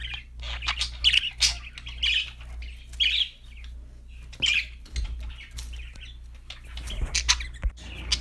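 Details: Budgies singing with separate bursts of squeaky, buzzy chirps, some loud and close, spaced by quieter gaps, over a faint low drone.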